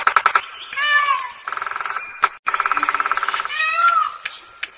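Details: Peacock (Indian peafowl) giving loud, nasal, harmonic wailing calls that rise then fall. They alternate with bursts of rapid rattling pulses and a steady honking stretch. No other clear sounds.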